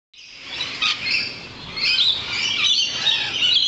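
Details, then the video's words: Many lorikeets outside a balcony giving dense, shrill, screechy chatter, high-pitched squawks overlapping continuously and growing louder after the first second. "Singing Lorikeets"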